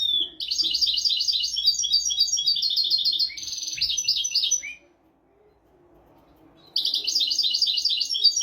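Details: European goldfinch tutor song for teaching goldfinches and canaries: long runs of rapid, tinkling twittered notes, broken by a short buzzy trill, then a pause of about two seconds before the twittering resumes.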